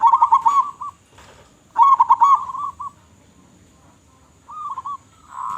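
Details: Local zebra dove in loud lure song: two clear bubbling coo phrases with a trailing note each, a quiet gap of nearly two seconds, then a softer short phrase and a rising coo.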